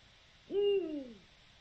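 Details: Eurasian eagle-owl giving one low, booming hoot on 7 October 2020, steady at first and then falling in pitch over about half a second before dying away, near-silent otherwise.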